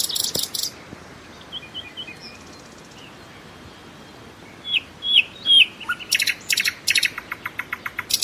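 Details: Common nightingale (Luscinia megarhynchos), song.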